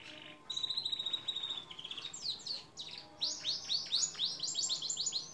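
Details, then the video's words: Canary song from a long-duration training recording for songbirds: a steady trill of rapid notes, then fast runs of sharply descending high whistled sweeps repeated several times a second. "Masteran kenari durasi panjang"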